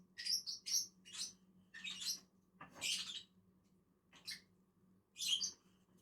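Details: Shrill, scratchy chirps from two lovebirds eating on a tree, in short clusters with a thin click and gaps of about a second.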